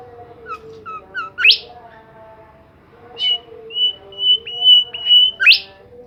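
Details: Bimoli bird in vigorous song: short rising chirps build to a steep swept squeak, then a pause, then a string of level, high whistled notes closing with another sharp upward sweep, low hum behind.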